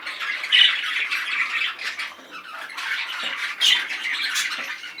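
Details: Excited male budgerigar chattering in bursts: a loud squeaky phrase opens, the warble softens midway, then a second sharp squeak and renewed buzzy chatter follow.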